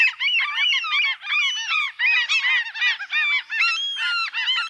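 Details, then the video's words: A crowd of gulls cries continuously, with loud, overlapping, bent squealing notes packed tightly together in rapid rhythm. "seagull, animalsounds"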